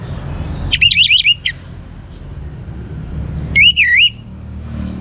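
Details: Young orange-headed thrush giving two short bursts of fast, wavering, trilled whistles about three seconds apart, used to prompt other birds to sing; a steady low rumble continues underneath.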